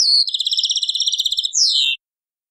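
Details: European goldfinch song in the taqsraine style, from an old cassette: a long run of fast, evenly pulsed high notes, then a bright downward-sliding whistle into a brief buzzy end, followed by silence.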